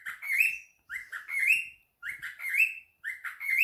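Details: A pet cockatiel answering a phone call gives loud, upward-sweeping chirped calls, four rising phrases roughly one second apart, each a quick slurred whistle that climbs and ends abruptly.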